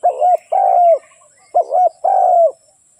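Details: A trapping lure call from a spotted dove: two phrases of deep, hollow cooing, each a quick double note followed by a long, slightly falling coo.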